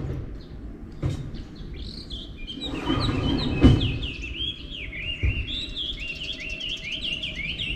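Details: Wild birds singing in the morning, a series of bright chirped and slurred notes high in pitch, repeated rapidly through the second half, with a few low thumps and background noise.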